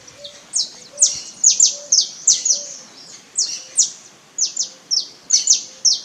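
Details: A free-living wild saffron finch sings loud, sharp, high chirps and descending slurred notes, run together rapidly in an energetic, continuous string. Saffron finch.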